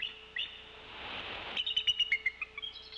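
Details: Bald Eagle chattering heard off camera at a Decorah nest on 16 February 2024, while the male is away during a brood shift change. A soft rushing noise, then a quick series of thin, high, slightly descending piping notes.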